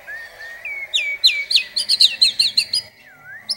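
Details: White-rumped shama (murai batu) from Indonesia, a masteran training recording of rich mimicry-filled song with long rapid bursts: a soft rising whistle leads into a fast run of about ten sharp, high, chopped notes, then a quieter looping whistle.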